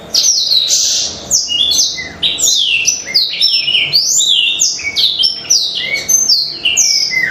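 A black-throated canary sings a fast, unbroken run of bright, high twittering notes and sweeping slurred whistles, loud and continuous, with a faint indoor hum beneath.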